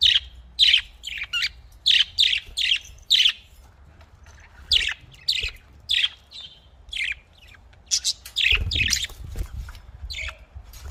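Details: Budgerigar calls: a regular series of clear, high, slightly falling chirps about every half second, then a looser, scratchier chattering stretch near the end.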